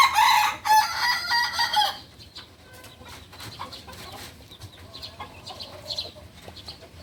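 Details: A novice Balenggek chicken from Solok, West Sumatra, ends a crow with two seconds of loud, bright, broken syllables. Then come softer clucking, clicks and other faint calls in the background.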